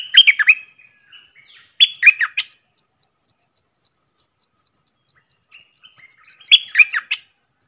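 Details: Three short, cheerful whistled phrases from a Red-whiskered bulbul, each a tumbling run of four or five notes, separated by pauses. Rhythmic insect ticking sounds in the background.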